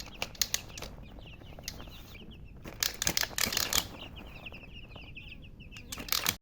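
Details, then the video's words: Young chickens peeping steadily in high descending chirps, often covered by loud bursts of rustling, flapping and handling noise. "Baby "Chicks Chirping" Sound"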